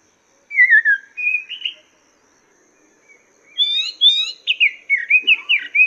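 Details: Master song of a Chinese hwamei for training cage birds: descending slurred whistles, a short pause, then a quick, tumbling series of bright, rising and falling notes.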